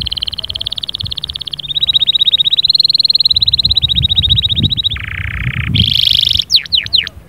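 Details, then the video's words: Vigorous canary song for stirring a silent canary: long, rapid, piercing trills that shift pitch, a lower buzzy rattle, then fast swooping whistles. Low rumbling noise sits underneath. "اياك وتقول عصفوري الكناري ساكت أدخل عليه البهجة بالمقطع الاكثر تحفيز"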